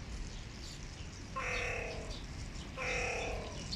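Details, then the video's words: An adult male hooded crow, indignant at a rival crow, gives two harsh, drawn-out, nasal caws about a second and a half apart, over a steady background hiss. "Adult crow Bobo complains at his competitor"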